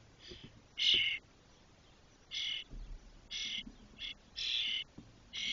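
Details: Spotless starling nestlings, 21–22 days old and fully feathered, in a nest box in Doñana National Park, Spain, give harsh, hissing rasps in short bursts, about seven in five seconds, some doubled, over faint low background noise.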